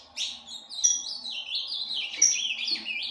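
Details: Ultramarine grosbeak kept in a breeding aviary delivers a fast continuous warble of swooping, clear notes with bright high accents, all within one unbroken phrase.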